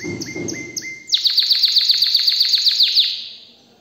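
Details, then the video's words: Agitated canary opens with four spaced, clipped chip notes, then bursts into a rapid run of about fifteen high descending sweeps that fade away in the last half second. "تغريد طائر الكناري اجمل غناء و صوت كناري ستسمعه روعة"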